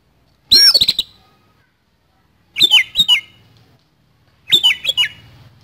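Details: Oriental magpie-robin in fighting mode with a harsh song fill: three bursts of rough, clicking notes mixed with sharp whistled slurs falling from high to mid pitch, each about half a second, spaced two seconds apart on a quiet background.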